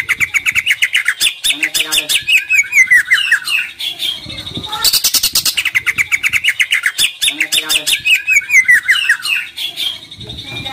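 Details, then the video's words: Greater green leafbird, a caged singer used to spur other leafbirds to sing; rapid chattering, whistled song with fast descending slurred notes and buzzy phrases, in bursts with a short noisy break near the middle. "CUCAK IJO GACOR !! COCOK BUAT PANCINGAN CUCAK IJO KURANG NGOTOT / TARUNG"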